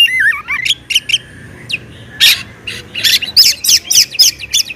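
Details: Loud Oriental magpie-robin song meant to provoke other magpie-robins into singing: wavering whistles at the start, then scattered sharp chirps and a fast series of bright, twisting notes.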